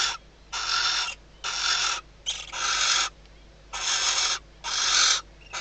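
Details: Inside a nest box in the Ebro Delta's Riet Vell reserve, a female barn owl calls to the arriving male at night shortly before hatching, ahead of mating. Six or seven rasping hisses, each over half a second, following close on one another.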